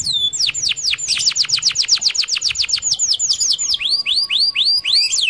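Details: Canary delivering a rapid roll used to prompt other canaries into song: a long even train of high downslurred notes, nearly four per second, shifting into fuller upswept whistles near the end.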